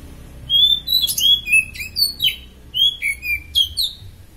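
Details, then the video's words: Oriental magpie-robin (kacer), superfit, sung as master material: clear whistled phrases, each starting with a bright high note then dropping in stepped slurs, repeated in short groups. "Kacer superfit buat masteran mantap"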